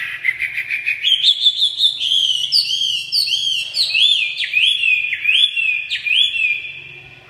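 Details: Red-whiskered bulbul singing a fast run of clear, bright whistled notes, each phrase rising then dropping sharply, delivered continuously with slight variation over about seven seconds.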